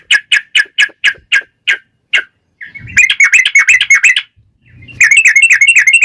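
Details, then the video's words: Yellow-vented bulbul in long, rapid 'ropel' fighting-style song, used as a lure to make other bulbuls answer: a row of evenly spaced sharp chirps, then two dense bursts of bubbly, buzzy notes with brief pauses. "trucukan gacor TARUNG ROPEL PANJANG pancingan trucukan agar bunyi"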